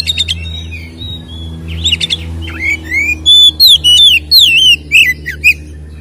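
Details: Oriental magpie-robin (kacer) in energetic fighting-style ngeplong song with fill-ins, used to provoke other magpie-robins; loud slurred whistles, rising and falling, delivered in quick bursts, over a low mechanical hum.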